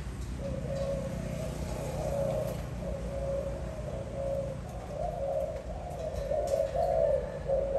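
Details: Spotted dove recorded in 2021, giving a steady series of soft, low, hollow coos, each phrase slightly rising and falling and following closely on the last, over a constant low rumble.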